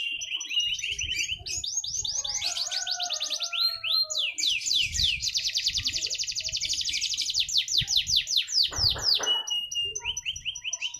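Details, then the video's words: Caged canary singing at a bird-song competition in Batang, Pekalongan, Central Java: a long, varied song of rolling high trills, rapid buzzy note series and whistled slides, with faint low background noise throughout. "canary / Kenari burung prestasi di gantangan jawa rengah"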